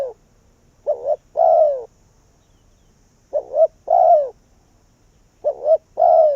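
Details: Decoy spotted dove calling in wild doves, three regular phrases each of a short double-humped note followed by a longer falling coo, about two and a half seconds apart.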